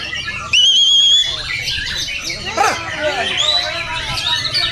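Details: Training recording of white-rumped shama song for singing contests: a strong quavering whistle at the start, then a jumble of quick chirps, rasping notes and rising whistles amid continuous background chatter.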